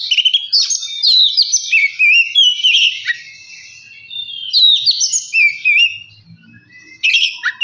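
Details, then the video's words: Oriental magpie-robin singing a lure song meant to provoke another bird to sing: rich, warbling whistles with wavering, tumbling notes in a long continuous phrase, a short pause, then a fresh burst. "Kacer males bunyi jadi gacor 🔥 pancingan Kacer biar cepat gacor dan emosi"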